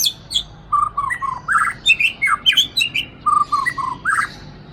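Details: Captive white-rumped shama from Aceh, a strong mimic of master songs, sings rich mellow whistles in a rapid varied sequence, low rounded notes alternating with higher slurs, almost continuous throughout.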